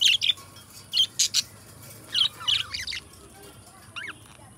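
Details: Two companion budgerigars singing and talking: bright, high chirps and rapid twittering notes in short bursts, some pairs and trills, with a quiet pause before a final downslurred chirp; faint steady high-pitched hiss behind.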